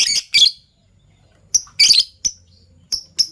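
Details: Fischer's lovebirds, violet pied and gold opaline euwing, chirping in the morning; loud, harsh, high chirps and squeaky buzzy bursts in quick irregular succession, about forty a minute, with thin clear notes between.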